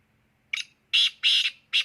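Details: Loud rasping call of a black francolin: a short scratchy first note followed by longer, harsh, buzzing bursts repeated about every third of a second, with a low steady hum behind.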